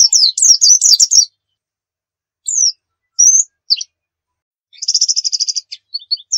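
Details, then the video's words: Nembak-style white-eye song recorded as a lure: a rapid burst of high falling chirps, a few isolated slurred notes after a pause, then a fast, even, buzzy trill and scattered short calls. "Masteran Pleci Nembak"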